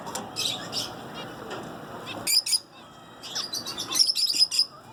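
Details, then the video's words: Zebra finch song of crisp buzzy notes in tight clusters, a pause, then a rapid, louder burst of stacked chirps near the end. "Zebra Finches Singing"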